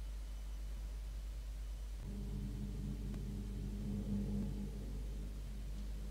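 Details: Low rumble and hum that swell midway into a droning, engine-like tone, with no animal voices.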